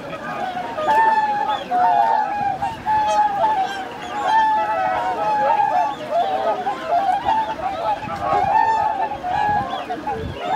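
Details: A large winter gathering of swans on Lake Hyoko in Niigata, Japan, in January 2022, with ducks among them. Continuous trumpeting honks overlap in a steady, clamorous chorus, some calls rising and falling, with a faint background murmur.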